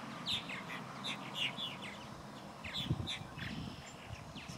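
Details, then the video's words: Purple martin parents and nestlings at the nest in Murrysville Community Park wetlands, July 11, 2020: scattered squeaky chirps and gurgling notes in loose bursts, with low rumbling background noise and a soft thump. "Purple Martin Nestlings and Parents"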